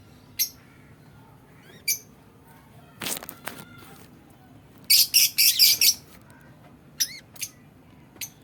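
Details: Budgerigars in a cage aviary, playing and eating: scattered single sharp chirps, a brief burst of buzzy chatter in the middle, and soft rustling or flapping sounds.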